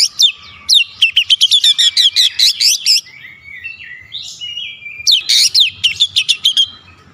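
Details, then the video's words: Oriental magpie-robin in an aggressive shooting song display, delivering dense bursts of quick, sharp whistled notes, pausing briefly in the middle, then resuming with another rapid volley. "KACER NEMBAK NEMBAK BONGKAR ISIAN"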